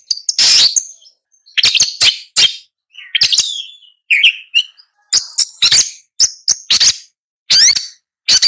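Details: Long-tailed shrike song made of loud, scratchy chattering bursts alternating with short buzzy chirps and whistled notes, separated by brief silences.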